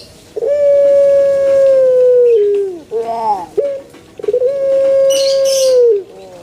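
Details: A puter pelung calls in a banana garden, giving two long steady tones of nearly two seconds each. Both end in a downward slide, with short quavering notes between them and a brief high chirp.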